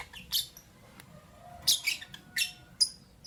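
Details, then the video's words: Morning chirping from albino and Euwing green opaline lovebirds. Bright, scratchy high chirps come in quick bursts, about five calls in three seconds, with soft low room noise underneath. "Lovebird Chirping Sound"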